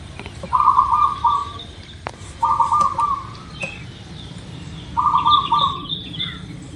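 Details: Zebra dove, local type, recorded as a singing lure. Three rolling coo phrases come roughly every two and a half seconds, alongside a sharp click and thin, high chirps from another bird near the end.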